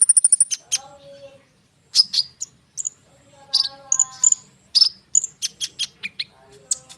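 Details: Continuous konin song used to make sunbirds answer: opens with a fast high rattle, then varied sharp chirps, whistled slides, and buzzy notes with short pauses between.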